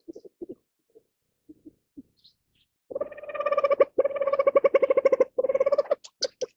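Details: Reeves's pheasant, a rare species found only in China: a few soft, scattered notes, then a loud, rapid chattering series of nasal clucks in three bursts, with brief separate calls at the end.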